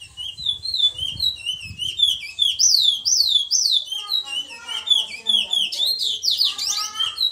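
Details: Eurasian magpie song: a run of clear, high whistled notes that slur downward, repeated in quick succession, then a denser burst of rapid, buzzy high chatter; a low rumble in the background.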